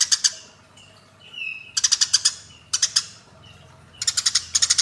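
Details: Eurasian tree sparrows in combat give quick bunches of four or five scratchy chirps, separated by quieter pauses that hold a faint falling whistle.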